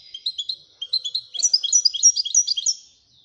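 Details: Royal goldfinch (European goldfinch) song: lively, high-pitched tinkling twitter of rapid chirps and buzzy trills, starting with a few spaced notes then rushing into a dense, jangling run before falling silent; nothing else audible.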